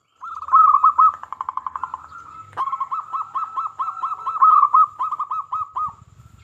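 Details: Local zebra dove, Indonesia, whose lively voice is played to provoke silent zebra doves into singing; long strings of fast, evenly pulsed coos, a brief click midway, then more bubbling trills.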